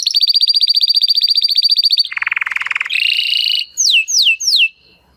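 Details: Timbrado canary, crested (huppe) type, in a training recording: long fast rolling trill, a lower buzzy rattle, a higher trill, then three falling whistled sweeps before silence.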